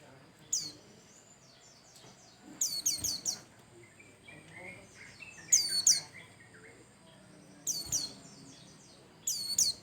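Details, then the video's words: Bustomi-type white-eye singing actively to prompt other birds to sing: rapid triplets of piercing, descending chirps roughly every three seconds, separated by quieter twittering and faint low background sounds. "Pancingan Burung pleci Bustomi Cal 1,2,3 Gacor"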